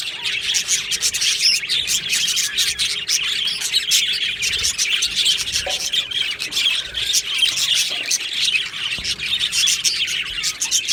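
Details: Budgerigars in an aviary colony chattering on 22 June 2025: eleven seconds of crowded twittering, squawks and high warbled notes, with a faint steady low hum underneath.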